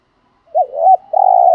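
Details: Spotted dove lure bird bought in Dak Lak, Vietnam, giving one phrase: a soft two-part rising coo running into a long, even, rough hoot.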